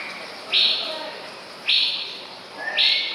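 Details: Male White-rumped Shama (Copsychus malabaricus) recorded on 24 May 2014: three identical short, clear, high whistled notes about a second apart, each sliding up abruptly, over a steady hiss of background noise.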